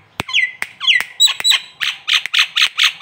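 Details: Nias hill myna, local Indonesian bird used as a song tutor: sharp clicks and swooping whistles giving way to a steady series of loud, harsh, rhythmic notes about four per second.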